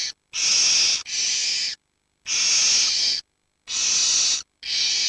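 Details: Young barn owls aged 7 to 19 days, keeping each other warm in a heap while both parents hunt, give long harsh snoring hisses of about a second each, one after another with brief pauses.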